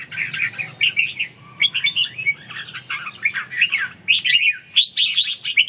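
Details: Red-whiskered bulbul during stamina-recovery and ché training, singing lively chattered phrases of bright slurred notes, a short pause, then sharper, higher chirps toward the end.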